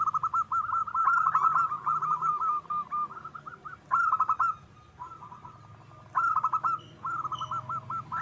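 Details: Local zebra dove singing, recorded for luring other birds: bursts of quick, bubbling staccato coos running into purring rolls, phrases repeated several times with brief gaps, faint rural background noise.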